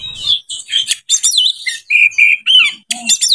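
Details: Oriental magpie-robin in breeding condition, singing a lure song for other birds: a rich, varied run of high whistles, sweeping slurs and short harsh notes in quick bursts, with brief pauses between phrases.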